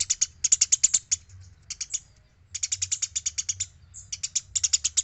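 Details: Lively Eurasian tree sparrow song for training other birds: fast strings of sharp, high chirps, a brief near-silent gap mid-way, then a long dense run of rattling notes to the end.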